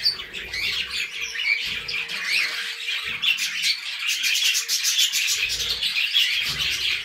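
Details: Several budgerigars, kept alongside cockatiels, keep up a busy high-pitched chatter of scratchy twitters and short squeaks, a faint low steady hum running beneath at times.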